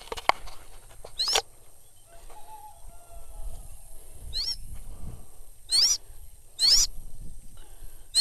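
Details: Sulawesi goshawk on a falconry hunt, giving four sharp, thin, ringing screams at irregular intervals over a low rumbling background with some faint rustling.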